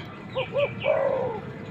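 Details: Male spotted dove calling for a female, a call used to attract wild birds. One phrase: two quick hooting notes, then a long, slightly falling coo, clear against quiet background.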